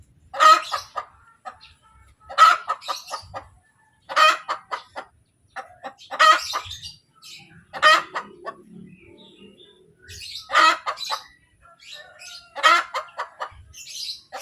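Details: Egg-laying hen giving her post-laying cackle, steady series of loud rasping squawks each followed by a few falling clucks, about every two seconds over fourteen seconds, with quiet chirps of other birds between.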